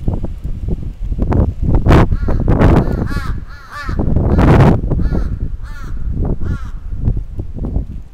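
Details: Attacking crow in Atsubetsu, Sapporo, 27 June 2017: loud, harsh caws repeated rapidly amid strong rustling, knocking and wind-like noise.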